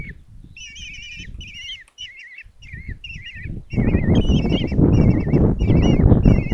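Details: Common kestrel chicks, five in a nest box at Tiszalök, Hungary, begging on June 26, 2024 as their mother brings breakfast. Quavering, wavering whistled calls repeat rapidly over rustling and thumping that grows louder as feeding starts.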